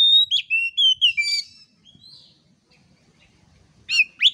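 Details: Oriental magpie-robin singing to train other birds: a string of five clear whistled notes stepping up and down, a short buzzy phrase, quiet gap, then two sharp sweeping calls.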